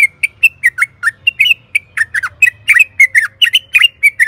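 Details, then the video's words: Yellow-vented bulbul song for prompting caged birds to respond: continuous lively babbling of short, slurred, chirpy notes, roughly one per beat, with a low hum underneath. "Auto Nyaut !! Pancingan trucukan gacor agar BUNYI jadikan BURUNG TRUCUKAN GACOR NYAUT EMOSI"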